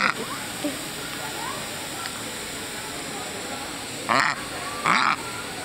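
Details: Female domestic duck playing under a garden sprinkler in New Hampshire with children, quacking to get them to play; two loud harsh quacks near the end, with people talking, spraying water and a steady high hiss throughout.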